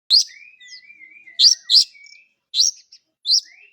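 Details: Oriental magpie-robin singing loud, sharp, high chirped notes in short bursts roughly every second, linked by thin, level whistles, with clean, quiet gaps between phrases and no other sounds.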